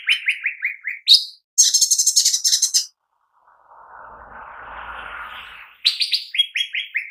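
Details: Cucak ijo mini leafbird singing: lively runs of clear, descending whistled notes, a burst of high, sharp chirps, then a brief patch of soft rushing noise before the whistled series returns.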